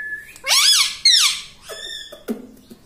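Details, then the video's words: Indoor talking parrot voicing two loud, bent, nasal syllables followed by flatter harmonic notes and a low buzzy sound; the bird is described as saying "mummy". "Talking Parrot Mitthu Mitthu Tota || Mummy Mummy Bolne Wala Mitthu || pattu Parrot Talking"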